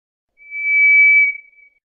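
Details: A single smooth, monotone whistle from a White's ground thrush, swelling gently and held for about a second before trailing off.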